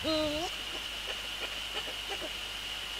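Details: Eurasian eagle-owl male on the nest in the evening of 29 January 2014, readying it for nest inspection: one short, low tonal call that holds level and then rises at the end, followed by quiet ticking noises and a constant high hum.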